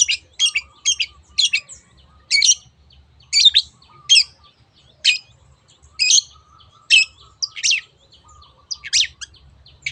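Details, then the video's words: Long-tailed shrike, 'teot teot' style song serving as a lure for other birds. Loud, rasping single notes and short squeaky phrases are spaced about a second apart, with soft twitters in between. "SUARA BURUNG CENDET TEOT TEOT pancingan AGAR BURUNG MANAPUN IKUT GACOR"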